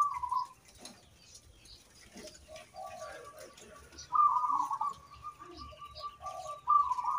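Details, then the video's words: Gentle trilled cooing of a local zebra dove used to prompt other birds to sing: a coo at the start, then louder rolling phrases at about four and seven seconds, with soft lower notes and background noise between. "PERKUTUT LOKAL GACOR SUARA COCOK BUAT PANCINGAN"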